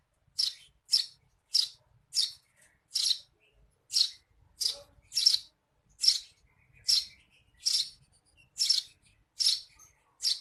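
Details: Series of about sixteen crisp, high chirps from a Eurasian tree sparrow in 'receh' style, recorded for training songbirds, delivered steadily at a bit over one per second with faint low knocks behind.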